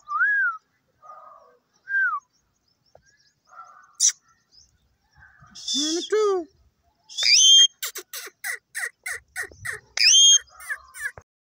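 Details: Parrot making a varied string of sounds: soft short whistles at first, then harsh arched squawks, followed by a fast run of sharp repeated notes and further loud harmonic calls, with no other clear sounds.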